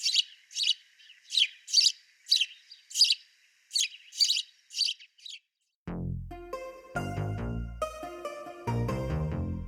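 A sparrow gives about nine bright, buzzy chirps, one every half second or so, before music with a piano-like melody takes over.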